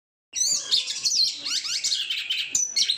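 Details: Caged oriental magpie-robin in full song, a fast rich medley of clear whistles, rapid trills and slurred rising and falling notes, delivered almost without pause.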